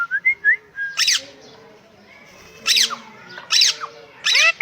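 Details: Farm parrot mixing short rising whistles with loud, raspy squawks, the squawks spaced about a second or more apart, with faint low murmurs in between.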